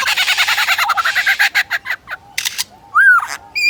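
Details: A Superb Lyrebird at Adelaide Zoo mimics a DSLR camera photographing it: a burst of rapid mechanical clicks like a shutter motor, then short clipped notes and a sliding electronic-sounding whistle.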